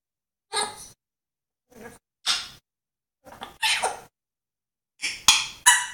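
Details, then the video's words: African grey parrot making animal sounds indoors: sharp, breathy sneeze-like bursts, some bark-like, in spaced groups of one to three, with quiet gaps between. "african grey making animal sounds"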